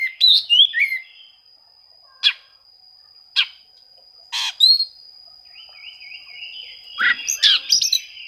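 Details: Rival-seeking song of an Oriental magpie-robin, meant to provoke quiet birds into singing: a burst of whistled warbles, then isolated sharp chip notes every second or so, ending in a rapid, rising whistled run, with a constant high tone behind.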